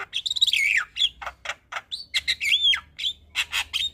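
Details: Javan myna (jalak kebo) singing busily in full 'isian' style: harsh buzzy bursts mixed with clear whistled notes, a falling slurred whistle early on, then rapid chattering notes roughly every third of a second.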